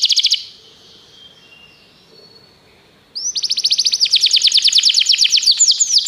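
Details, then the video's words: Canary song for training canaries: a short high trill, nearly three seconds of faint hiss, then a loud fast trill of repeated high notes building to the end. "O melhor canário canário para treinar seu canário"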